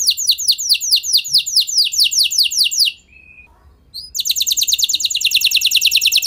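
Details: F1 canary singing as a lure to prompt other canaries to sing: a fast run of high, downward-sweeping notes for about three seconds, a brief pause, then a quicker, denser trill.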